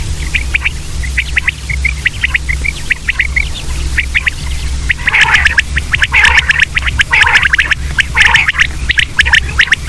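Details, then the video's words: Common quail (batair) calls: many short, sharp clipped notes in quick bunches, growing denser and louder after midway, with overlapping callers over a steady low hum. "common quail sound batair ki Awaz"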